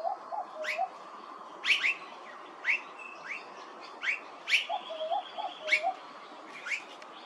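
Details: Immature blue-faced honeyeater at Hervey Bay, Queensland: sharp, rising, squeaky notes repeated irregularly about once a second, mixed with lower, soft piping notes, over a faint steady background hiss.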